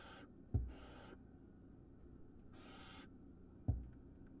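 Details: Wild barn owl nestling gulping down a large vole, two or three breathy hisses broken by two dull thumps, over a faint background hum.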